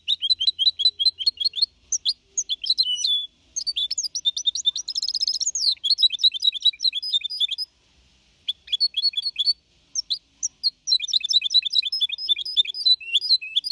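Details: Young goldfinch hybrid of four and a half months singing clean Copia Malaga song, 2021, meant to motivate other birds; nearly continuous high twittering with buzzy trills and slurred notes, broken by brief pauses.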